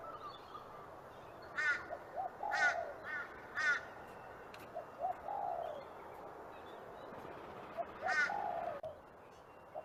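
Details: Spot-winged pigeon calling in a series: hoarse, harsh bursts spaced about a second apart, alternating with short clipped notes and drawn-out, gently falling mid-pitched notes, all over constant background hiss.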